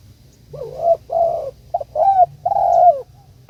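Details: Low, mellow cooing from a spotted dove calling its companion, a steady sequence of rounded coos with a brief stutter note and a longer falling coo near the end.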